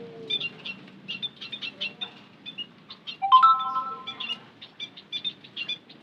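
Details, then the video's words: White-headed munia lure call: short, high chirps in quick clusters, broken midway by a louder, clear whistled note holding a steady pitch for about a second, then more scattered chirping. "Suara Pancingan Emprit Kaji - Bondol Haji"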